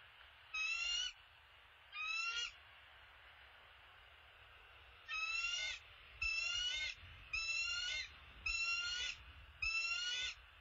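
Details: Bald eagle, a male bringing an opossum to the nest, gives shrill, high chattering calls. Seven half-second bursts of stacked, descending piping notes come in two groups: a pair early, then five in quick succession, over a quiet background.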